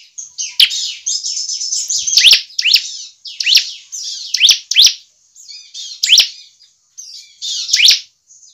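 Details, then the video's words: Bar-winged prinia singing to prompt other birds into song: rapid high, buzzy chattering trills broken by sharp descending notes, phrases tumbling almost continuously with brief gaps. "CIBLEK GACOR efektif untuk PANCINGAN CIBLEK agar cepat gacor dan ngebren."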